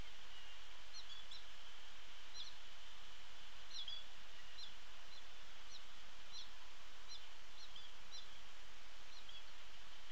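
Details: Several noisy American goldfinches at a tray feeder beside Sapsucker Woods and its pond, Cornell Lab of Ornithology, 11 October 2017, give quick, high twittering chirps every half second or so over a steady high hum.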